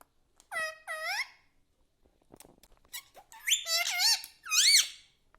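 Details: Pet parrot indoors in a quiet room, talking in short squeaky harmonic phrases: two quick rising-falling syllables, a pause with faint clicks, then three louder wavering squeals.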